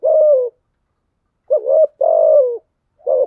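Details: A spotted dove used as a lure bird coos steadily: a long, smooth, slightly falling coo, a pause, then a short wobbling note joined to another drawn-out hollow coo, and the phrase begins again.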